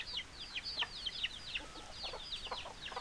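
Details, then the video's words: Chickens: many overlapping shrill, descending chirps in rapid succession over a faint hiss of background noise. "Chicken Sounds Noises Hens Clucking Roosters Crowing"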